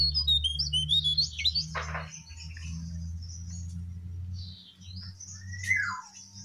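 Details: Brown prinia, male, in a recording meant to prompt caged or wild birds to sing: quick high chirps and whistles, one sharp note sliding downward, with a constant low droning hum behind.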